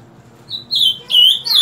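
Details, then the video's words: Ultramarine grosbeak, singing every morning from 7 o'clock: a thin opening whistle, then two loud, full slurred whistles in quick succession. "Reina Mora Cantando Por Las Mañanas."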